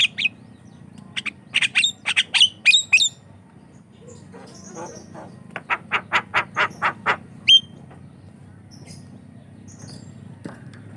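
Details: Javan myna used as a lure and training sound for other mynas: bursts of harsh, squawky notes followed by a fast series of about nine evenly spaced, buzzy calls and a single whistled note, over low steady background hum.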